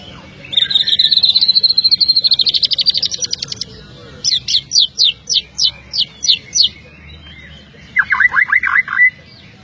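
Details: Magpie-robin singing sharp, powerful phrases: a fast, buzzy trill of rapid high notes, then a series of about eight loud, separate whistled notes, and finally a quick lower chattering burst, over faint background hum.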